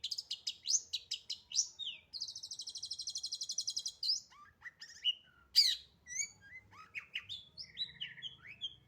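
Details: Fast, packed song of a long-tailed shrike: quick high chirps, then a long train of rapidly repeated buzzy notes, followed by a harsh burst and mixed whistled, slurred and chattering phrases.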